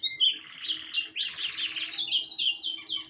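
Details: Bananaquit producing a continuous stream of high, scratchy, buzzy notes in quick, uneven bursts, sounding harsh and wheezy throughout, with a faint low hum behind.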